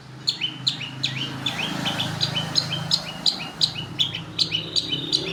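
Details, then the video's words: Long-tailed shrike song used as a lure recording for other birds: loud, rapid series of sharp chirps with a bright upper note falling to a lower slurred whistle, repeated about three times a second, with a low steady hum beneath. "Pancingan Burung Pentet Jawara NASIONAL"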